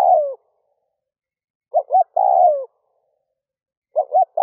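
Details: A spotted dove used as a lure for wild doves, recorded in early morning. Its mellow phrases repeat about every two seconds: two quick low hoots, then a long coo that slides downward. There is no background noise.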